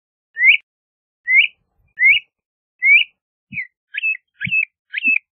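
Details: LeConte's thrasher repeating rising whistles about once a second, then switching to quicker angular two-part notes, with faint low thuds between.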